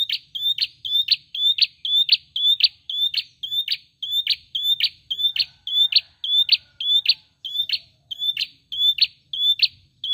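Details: Ashy tailorbird song: a fast, even series of sharp, high chipping notes, about two every second, with no other sounds behind it.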